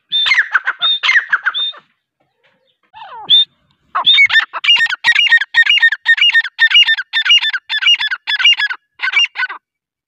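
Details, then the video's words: Grey francolin voice: a few harsh opening notes, a pause, then a long accelerating chain of loud ringing, rising calls, roughly two each second. "Teetar sound | Teetar ki awaz I grey francoline teetar sound"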